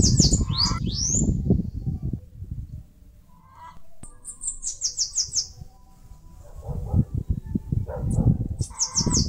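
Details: Bananaquit (caga-sebo) in northeastern Brazil, nest-building on mandacaru cactus: sporadic high, thin chirp trills and quick squeaky sweeps, a clicking run mid-clip, and strong low rumbling background noise.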